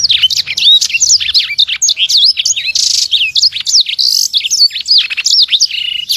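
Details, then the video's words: Sanger, a small imported bird, singing a continuous, rapid stream of piercing whistled sweeps, chirps and brief buzzy bursts. "SANGER SUPER GACOR, BURUNG ORIGINAL IMPORT!! 💥 Kecil Tapi Suaranya Pedess, Full Tembakan Rapat"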